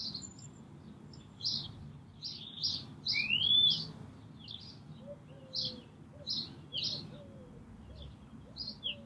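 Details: Green Moor Brambling on 24 March 2019, calling and singing: evenly spaced high chirps, one clear rising whistle, and soft lower piping notes from another bird beneath.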